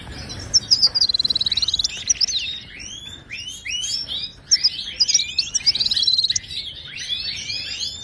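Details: Wild Moroccan goldfinch in full Wadani song, used to teach captive birds: dense liquid twittering with two bursts of quick rattling trills at a steady high pitch, interspersed with sweeping chirps.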